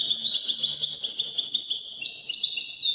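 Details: Widani-style song of a European goldfinch, a continuous, fast, liquid twittering run of high chirps and trills that drops slightly in pitch partway through.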